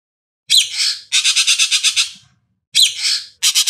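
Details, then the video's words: Ekek Keling in a songbird training master recording: a scratchy, falling squawk followed by a short burst of rapid grating notes, the pair repeated after a brief pause. "Ekek Keling"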